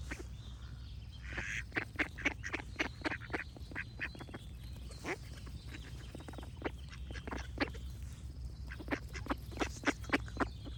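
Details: Ducks quacking busily: a long series of clipped, raspy calls coming in quick, irregular runs, with higher bird song notes threaded through and a low steady hum underneath.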